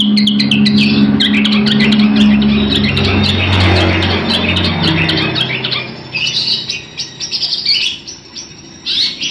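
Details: Long-tailed shrike singing as a tutor for other birds, a fast harsh chatter of short high notes repeated several per second, with a deep humming rumble underneath early on before the song continues in broken bursts.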